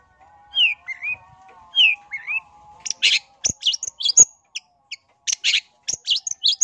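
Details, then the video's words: A long-tailed shrike sings a lure song aimed at drawing replies from other shrikes. Four slurred whistles in two pairs come first, then a sequence of harsh, clipped chattering bursts. "Cendet LAIN gak bisa DIAM dengar SUARA Pancingan Pentet GACOR yang satu ini"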